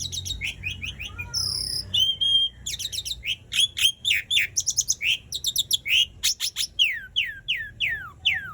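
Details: Prolific 'gacor' song of an Asian pied starling, meant to coax silent starlings into song. A fast run of sharp clicking chirps and short whistles, a few drawn-out pure tones, and closing downslurred whistles.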